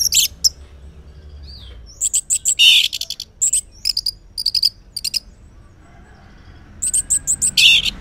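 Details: Morning song of an orange-headed thrush, used as a lure so quiet males reply; rapid bursts of high, sharp, chattering notes in irregular clusters, separated by short gaps with a faint whistle.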